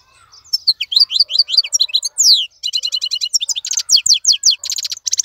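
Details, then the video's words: Wild-caught European goldfinch kept in a cage, singing without pause: a dense, fast run of high twittering notes, buzzy trills and rapid repeated chirps tumbling into one another for several seconds. "مقنين خلوي يغرد بصوته النظيف, تغريد حسون بري دون توقف"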